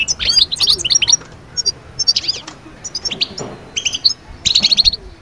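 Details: Goldfinch song to bring birds out of the moult into summer breeding mood: clusters of quick, high twittering and tinkling notes with short pauses between phrases.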